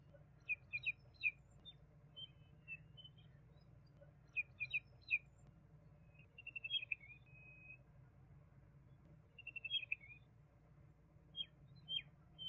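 A juvenile common babbler gives bursts of high, thin chirps and short whistled trills in quick clusters, with pauses between groups; a low steady hum runs underneath.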